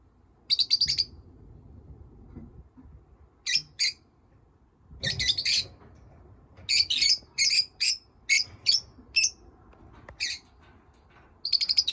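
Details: Pet lovebirds: short rattling trills and many sharp, high chirps in irregular bursts, with quiet pauses between.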